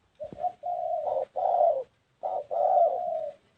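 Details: Spotted dove cooing: a brief pair of quick notes leading into two long, full hollow coos, then after a pause another stretched coo, smooth and steady in pitch.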